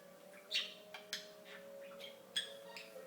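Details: Captive talking budgie giving scattered sharp chirps and clicks over a short stretch, accompanied by a continuous faint steady tone in the background.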